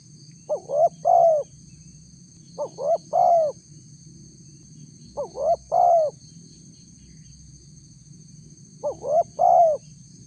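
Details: Four evenly spaced phrases from a spotted dove used for luring wild doves: two brief upward coos then a fuller, drawn-out falling note, repeating every two to three seconds over a soft rumbling hum.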